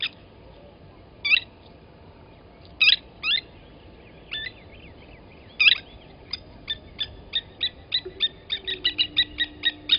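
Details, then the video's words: Blacksmith Lapwings at Gowrie dam waterhole, Djuma Game Reserve, Sabi Sand, South Africa, 07:47 on 29 Aug 2020, as an adult grabs a chick from the nest and kills it: sharp metallic clinks, then a fast run of ringing anvil-like notes. "Blacksmith Lapwings"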